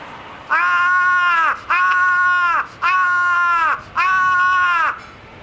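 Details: Large-billed crow at Ueno Zoological Gardens, vocalising in a variety of voices: four long, even, nasal cawing notes, each about a second, repeated at a steady pace with short gaps.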